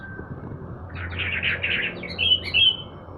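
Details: Sooty-headed bulbul out for its morning sunning delivers a burst of gurgling warbled notes followed by two clear, bright whistled notes, with faint low hum behind.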